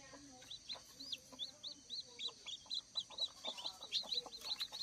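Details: Newly hatched, one-day-old native kampung chicks on a chicken farm give a rapid run of high, thin peeps, each a short piercing chirp, about two per second, overlapping into a steady chorus.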